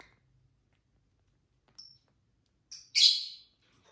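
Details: Pet lovebirds, five birds of various colours, in a bout of chirping and scuffling: two thin high chirps, then a sudden loud harsh squawk lasting about half a second.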